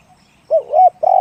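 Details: Spotted dove with a one-kuk, big-voiced coo: three low, mellow hooting notes, the middle one slurred and drawn out, the last one cut off at the end. The background is quiet apart from a faint high tone.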